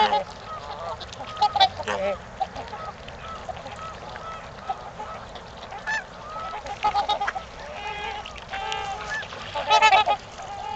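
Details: During mating time at Gallup Park, Ann Arbor, Michigan, trumpeter swans give repeated nasal honks, some overlapping, with a louder cluster of trumpeting toward the end against a constant low hiss.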